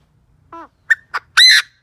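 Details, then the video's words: Decoy Chinese francolin calling to draw in wild birds, opening with a soft descending note, followed by two clipped notes and a long, loud, rasping cry, with another harsh note starting at the end. "Tiếng chim đa đa mồi gáy kích bổi cực chuẩn"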